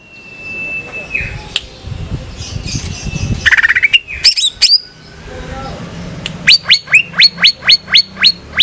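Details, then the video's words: Caged female greater green leafbird from Banyuwangi: a long thin whistle and faint voices at first, then mixed chattering notes, ending in a regular string of sharp upswept whistles about four per second. "Cucak Ijo Banyuwangi Gacor "LEAK BALI" | Cucak ijo betina buat ngecas"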